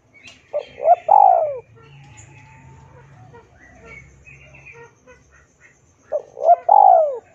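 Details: Spotted dove song for training captive birds. Two clear cooing phrases, each a quick rising note pair followed by a drawn-out descending coo, open and close the clip. Between them sit quieter chatter from other birds and a low murmur.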